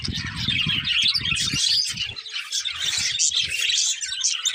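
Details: Continuous high chattering warble from a colourful budgerigar breeding pair over a steady background of low rumbling knocks.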